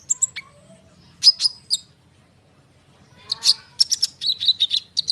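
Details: Konin bird in an energetic rolling song, a lure for sunbirds. High chirps come in short clusters separated by a silent gap, ending in a quick jumble of sharp, whistled notes.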